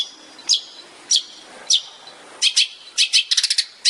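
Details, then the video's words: Long-tailed shrike heard in a master recording for training songbirds, tembakan style. Single sharp high chips about every half second become quicker doubled and tripled notes over a soft hiss. "CENDET SPESIALIS TEMBAKAN"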